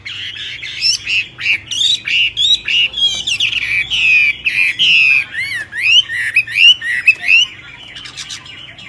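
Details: Myna giving a loud, continuous string of squawky, nasal notes and whistled slurs, in irregular bursts that speed up toward the end, with a low hum underneath.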